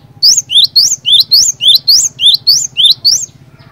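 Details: Cinereous tit singing vigorously to draw song from other birds of its species; roughly eleven high, ringing two-note whistles follow one another rapidly and evenly, ending abruptly, over a low droning hum.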